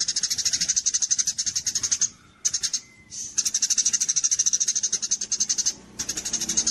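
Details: Training song of a Javan munia for songbird contests, kapas tembak style: long runs of fast, shrill, evenly repeated chips with brief gaps. A faint thin whistle sounds during one pause.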